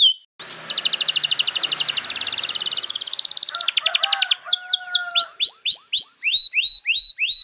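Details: Caged canary singing as a training lure for young birds: a long rapid buzzy roll for about four seconds, then a string of crisp falling whistled notes repeated several times a second.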